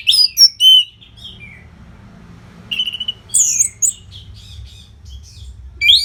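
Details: Orange-headed thrush training song for fighter birds, northern Bali: loud slurred whistles and a steady held note, then scratchy high phrases and sharp chirps separated by quiet pauses.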